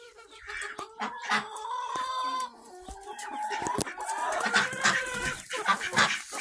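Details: Hens and roosters of many breeds calling together in a barn on August 26, 2023, with steady overlapping clucks, a few longer tonal cries and sharp squawks building into a busy chorus.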